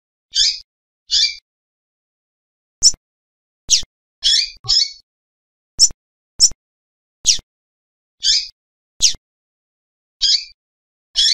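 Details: Female double-collared seedeater call, played to stir males into singing: short, sharp, high chips repeated at irregular intervals of about one second, some doubled. The background is otherwise silent.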